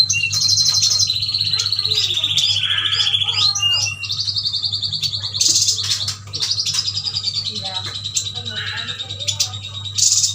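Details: A Kalimantan yuhina chatters almost without pause in high, rapid twittering phrases and thin trills, over a steady low electrical hum.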